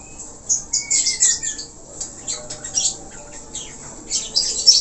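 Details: Australian parakeet (budgerigar) with a thin descending whistle, then bursts of scratchy chatter and squeaks separated by quiet pauses.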